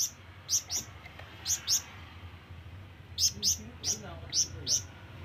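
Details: Flamboyan bird calling to draw in companions or rivals, with a long drawn-out call: short, sharp, very high chirps in loose pairs and bursts of two to three, spaced by brief pauses over a low background hum.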